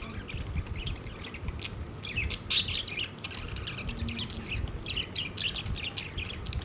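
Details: Several pet budgerigars gathered around a food plate chatter with quick, scratchy chirps and squeaks, one sharper, louder chirp near the middle, all over a steady low rumble.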